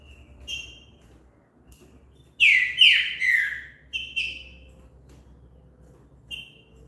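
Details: Green-winged saltator gives a burst of three loud, downward-slurred whistles, then two shorter notes. Scattered brief chips come before and after in a quiet background.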